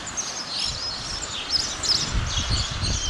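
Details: Spotless starling calling in a rapid stream of thin, high chirps and slurred whistles, some rising and falling, over a steady hiss of outdoor noise with faint low rustling.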